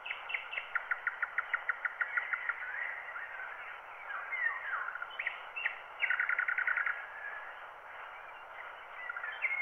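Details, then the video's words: Wild birds singing, dubbed from a microphone recording onto a black wax cylinder at 90 rpm. Quick series of sharp repeated notes form trills, mixed with warbled phrases and a downward slur, all thin and muffled over constant hiss. "wild bird songs"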